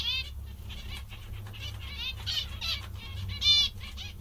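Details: Zebra finches, described as happy and content, give nasal stacked chirps around the upper range in quick irregular bursts, with low background hum throughout.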